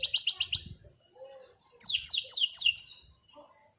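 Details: White-rumped shama singing calmly in the afternoon: bursts of very high, fast rattling notes, a short gap with soft sounds, then a second series of sharp descending high chips, with faint low background thumps.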